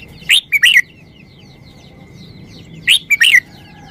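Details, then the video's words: Red-whiskered bulbul giving its short song style: two brief bursts of bright, clear whistled notes, each a quick rising then falling three-part phrase, about 2.5 seconds apart, over a steady faint hum and soft background chirps. "นกกรงหัวจุก 362 มาเฮง เพลงสั้น"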